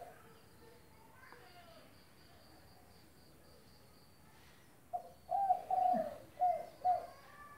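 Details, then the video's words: Spotted dove used as a tutor bird: quiet background for five seconds, then one phrase of five low mellow coos, the middle note longest, with a faint high steady tone in the background. "Derkuku gacor buat masteran tekukur"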